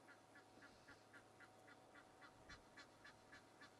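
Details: Goose giving an alarm call at Djuma Game Reserve, South Africa, while impala turn to look toward it; harsh honking notes repeat steadily, almost four per second, over a low constant hum.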